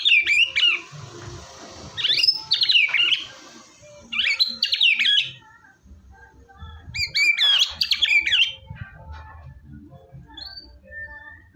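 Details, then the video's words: A white-rumped shama (murai batu) sings loud, rich phrases used to get a quiet shama singing: four rapid rattling, whistled bursts spaced a couple of seconds apart, then a lone high note, faint low rumble beneath. "MURAI BATU GACOR!!! ampuh buat burung murai batu males bunyi"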